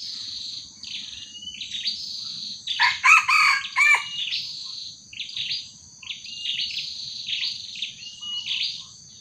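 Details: Red junglefowl crowing during a trapping session in which a small decoy junglefowl faces a young wild junglefowl; one loud, harsh crow of several bursts rises over a steady chorus of high chirping birds and insects.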